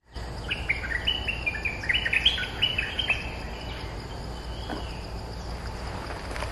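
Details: Streak-eared bulbul defending its territory against lure calls, uttering a rapid series of short, bubbly whistled notes for about three seconds, then quieter, against steady insect hum and low background rumble.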